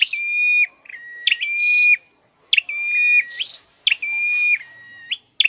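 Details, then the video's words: Scarlet-headed flowerpecker kept in a cage for singing training, repeating long, steady, high whistles that drop a step partway through, each opened by a sharp upward flick. About four such phrases in quick succession. "Deep red-headed birds(Dicaeum Trochileum): Birds thoroughbred training for singing chirped"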